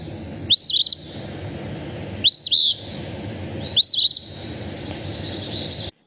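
Eastern Phoebe singing three raspy, buzzy fee-bee phrases about every two seconds, each a sharp stuttered note with a burry, high-pitched ending.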